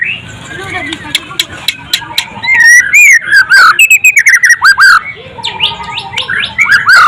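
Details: Golden-voiced White-rumped shama, said to be a frequent winner, delivering sharp clicks, then a flowing series of bright descending whistles and rapid repeated notes, ending in quick rising whistles.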